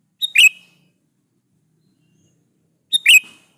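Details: Sooty-headed bulbul in full song, played to provoke other bulbuls into answering: two brief, sharp chirping phrases, each a quick note followed by a bubbly slurred burst, spaced nearly three seconds apart in silence.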